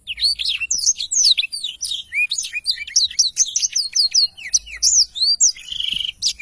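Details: Black-throated Canary singing a long, unbroken rolling song for bird tutoring: rapid string of high, curved whistled notes and chips repeated many times a second, ending in a dry buzzy trill.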